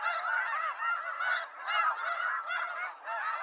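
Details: A few seconds of wild snow geese honking together, bursts of hoarse overlapping calls separated by brief dips in volume.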